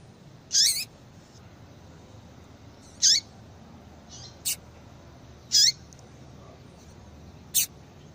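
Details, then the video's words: Repeated high chips of a female yellow-bellied seedeater, used to get a male singing. Each note drops at its end, coming every two and a half seconds, interleaved with fainter notes and brief thin ticks. "Esse Piado de Fêmea de Papa capim"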